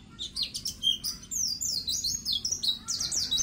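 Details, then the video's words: White-eye (pleci) singing vigorously, a master recording for training untrained birds: high chips and a short whistle give way to rapid, looping, descending twitters repeated in quick succession. "pleci gacor dor || cocok untuk masteran pleci agar cepat buka paruh"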